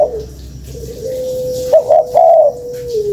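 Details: Spotted dove call used as a lure: a low, drawn-out hum with a few short, soft coo notes in the middle, indoors.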